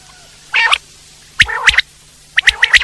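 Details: Brief wild common quail phrase: one rough nasal burst, then two clusters of sharp, quick whistled notes.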